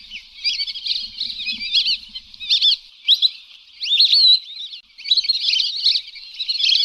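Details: Whistled calls of Lesser whistling ducks used to lure them in hunting: a busy mix of overlapping high slurred whistles, with a louder run of rising and falling notes near the middle and a short pause before the chatter resumes.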